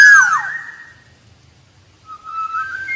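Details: Black-naped oriole (Oriolus chinensis) song: a mellow, fluty whistle sliding downward, then after a short pause a second, steadier liquid whistle that lifts slightly at the end.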